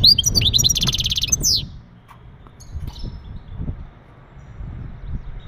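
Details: Male European goldfinch mating call used to ready a female for breeding: a short burst of high chattering twitter ending in a rapid buzzy trill, then low background rumble and faint ticks.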